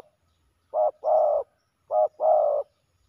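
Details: Male spotted doves fighting during a ground decoy session; two loud, low, burry cooing phrases, each a short coo followed by a longer drawn-out coo, about a second apart, with a faint thud in the background.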